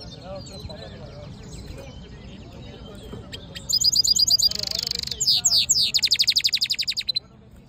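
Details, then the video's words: Black-hooded yellow hooded siskin mule: faint scattered chirps over a soft background, then a loud burst of high twittering, a buzzy rasping section and a rapid, regular trill of sharp notes. "Black HOODED yellow siskin mule | Cabecita negra CD | Carduelis singing"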